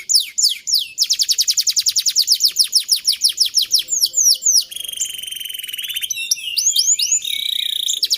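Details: Canary song used to train other canaries: rapid loud repeated trill notes, swooping slurs, then steady whistled tones and chattering phrases, continuous and varied.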